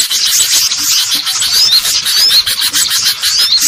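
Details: Noisy lure recording of green leafbirds (cucak ijo): a dense chatter of high, scratchy notes with quick rising and falling whistles woven through, about one and a half bursts a second.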